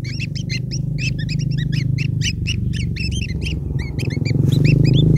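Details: Long-tailed shrike nestlings begging for food from their parent: quick, high, rising squeaks repeated about four times a second in busy clusters, with a loud low engine-like hum throughout.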